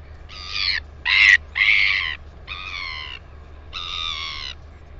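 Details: Northern royal albatross recorded in New Zealand, 9 September 2020: five separate raspy, nasal calls with strong harmonic layers, the middle ones loudest, spaced irregularly across a few seconds.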